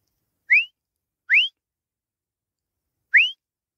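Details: A grey francolin in Pakistan gives three shrill, sharply rising whistled notes, two close together and one after a pause, with nothing else heard.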